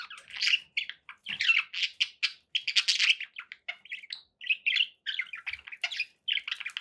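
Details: Pet budgerigars give quick chirps and short buzzy warbled notes in clipped bursts, separated by brief silences, at a lively, irregular pace.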